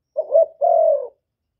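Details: A single phrase from a spotted dove calling to provoke rival birds, Cà Mau, Vietnam: a short wavering low note, then a longer smooth hollow coo that fades, with no background noise.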